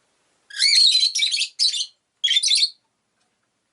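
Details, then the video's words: A rosy-faced lovebird (Agapornis roseicollis) gives harsh, shrill chattering chirps in three quick bursts, then a fourth after a short pause, with nothing else in the background. "Lovebird Chirping Sounds"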